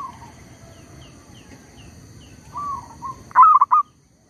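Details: Zebra dove kept to lure wild birds while trapping, unbothered by a tree squirrel. Faint high chirps from another bird and soft coos, then one loud stuttering cooing phrase at the end.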